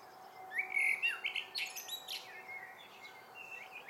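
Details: A Common Blackbird sings in the evening: a brief warbling phrase of mellow, wavering notes ending in a scratchy high twitter, then fainter notes over a steady low hum.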